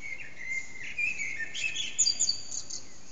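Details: Early morning common blackbird song at about 4:40 am, bird out of sight, backyard echo making it loud, phone-recorded; a low whistled warble sliding downward, then a burst of high thin squeaky twitters near the end over faint hiss.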